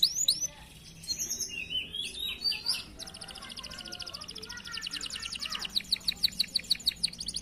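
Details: Canary song from a bird farm: quick high chirps and whistled sweeps give way after three seconds to a fast, rhythmic buzzy trill repeated about three times a second, bright and clear over a faint low hum.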